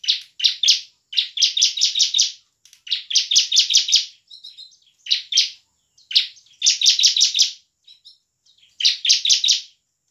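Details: Highly active bar-winged prinia, used to prompt lazy prinias to sing and fight: repeated bursts of three to six rapid, rasping high notes, each burst separated by a short pause, sustained over ten seconds.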